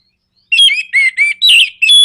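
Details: Loud nraktak konslet phrase from an Orange-headed thrush, meant to make other birds sing: five rich, harmonic whistled notes with slight slurs, each about a quarter second long, given in quick succession.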